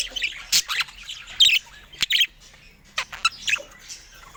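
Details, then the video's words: Budgerigars as pets during fruit time: separate short, harsh squawks and chirps in bursts roughly every half second, with quiet gaps between, in a small room. "Cute Budgie Love and Funny Sweet Sounds During Fruit Time"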